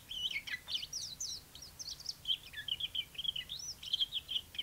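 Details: Chinese white-eye singing: rapid, high, thin twittering phrases of quick slurred notes, running almost continuously with short gaps, over faint low background noise.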